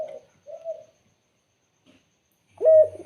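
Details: Spotted dove singing with a clear, melodious voice: two short mid-pitched coos near the start, a gap of silence, then a louder, steady, held coo at the end.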